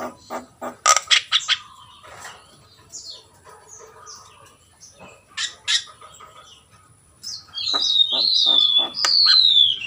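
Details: Javan myna, known locally as jalak kebo, singing: clicks and short chips, then long sliding whistles falling in pitch near the end over a low background hum.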